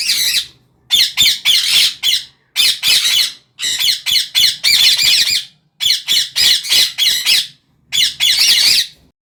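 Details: Repeated loud, grating squawks from a parrot come in clustered runs of two to four calls, separated by brief pauses, the calls rough and harsh.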